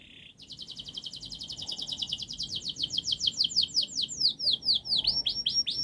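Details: Long, fast canary song used to train young birds: a short flat note, then one continuous high trill of repeated down-swept notes that grows louder and broader, over a low background hiss.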